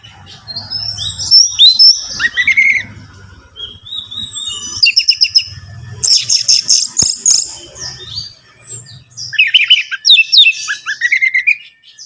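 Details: Varied song of an orange-headed thrush used as a lure for caged birds. Bursts of high sweet warbling and sharp rapid notes alternate with short pauses over a faint low background hum.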